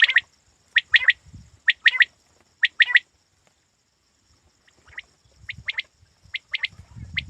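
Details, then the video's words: Hunting quail calling: bright, clipped two- and three-note phrases repeated roughly every second, a short pause, then softer phrases return as low rustling builds. "Shikari batair ki awaz"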